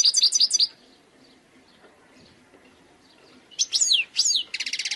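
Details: Wild goldfinch, khalwi type, sings a quick tinkling phrase, falls silent for nearly three seconds, then resumes with sweeping slurred notes and a fast buzzy rattle.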